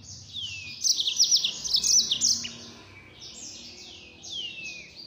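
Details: Mozambik, the yellow-fronted canary, delivering rapid 'nembak' song: a dense burst of high chattering trills, then softer sweeping whistles that fall in pitch.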